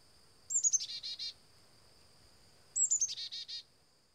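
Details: Black-capped chickadee visiting a feeder; two chick-a-dee calls about two seconds apart, each a thin high opening note followed by four buzzy, harsh notes; a steady high-pitched tone runs underneath throughout.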